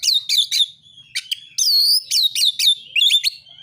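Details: Oriental magpie-robin giving a narung-style fighting song, used to provoke rival magpie-robins into singing: loud, sharp whistled notes and buzzy downslurred phrases in quick bursts, with short pauses between groups.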